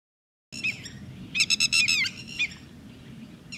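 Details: Red-wattled lapwing (Titodi) at Thol bird sanctuary: after a moment of quiet, a quick burst of about five sharp, ringing, harmonic notes, then a single later note, over a low steady background rumble.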